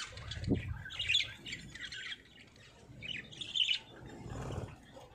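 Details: Parrots in Pakistan, kept as love birds, giving scattered harsh squawks and short chirps in bursts, with low background rumble between calls.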